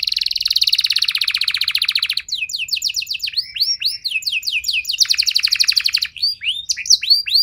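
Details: Canary in continuous song used to provoke other canaries into singing: a long, fast buzzing trill gives way to rising-then-falling whistled notes, another trill, and bright downslurred chips.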